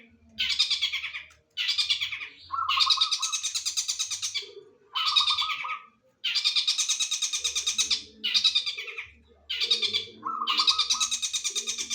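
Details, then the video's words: A long-tailed shrike delivers linked "tengkek boto" material. Long, harsh, rattling buzzes last one to two seconds each and are separated by brief pauses. Some bursts open with a lower grating note, and faint low thumps sound in the background. "Materi unik sambung tengkek boto ngeban2"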